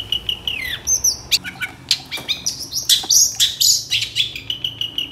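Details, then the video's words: Long-tailed shrike song for luring other shrikes into singing: rising whistled notes giving way to a jumble of sharp chirps, clicks and buzzy rasps, against a slightly noisy background. "PANCINGAN CENDET SUSAH BUNYI LANGSUNG NYAUT DAN IKUT GACOR DENGAR SUARA CENDET GACOR INI"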